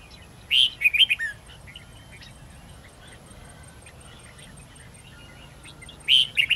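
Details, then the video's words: Red-whiskered bulbul giving wild-forest-style song with long twisting notes, for tutoring young bulbuls: a quick burst of four or five liquid, chirpy whistled notes, then a long quiet pause before another phrase begins. "Chào mào hót giọng rừng âm dài xoắn cực hay/Dùng luyện chào mào non,má trắng học giọng rừng"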